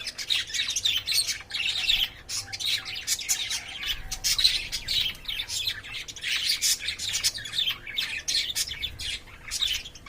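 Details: Lovebirds in a cage, shown courting and playing, keep up a dense chatter of shrill squawks and chirps, short harsh bursts overlapping almost without pause for the whole stretch.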